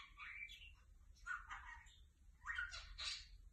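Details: Ornamental lovebirds chattering: harsh, scratchy squawks and chirps in three rough bursts, each rising and falling, over a low steady background hum indoors.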